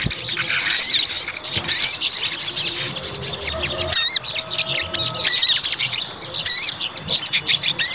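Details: Provocation song of a white-rumped shama aimed at a fighter bird: high rapid phrases with clear hooked, up-and-down whistles repeating through the clip amid dense chatter.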